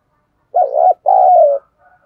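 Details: Spotted dove used as a decoy, cooing to draw in wild birds. It gives one coo of two parts, a short dipping phrase then a longer level one easing downward, with a faint soft note trailing after.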